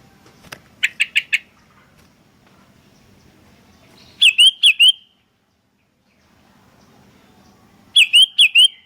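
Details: Sooty-headed bulbul calling lively back and forth: short bright chirps in quick clusters of three or four, two bursts several seconds apart, with a faint low hum between them.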